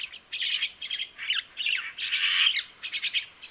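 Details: Crested myna song made of bursts of raspy chatter and squeaky notes in uneven phrases, rising and falling, separated by short pauses over a faint background hiss.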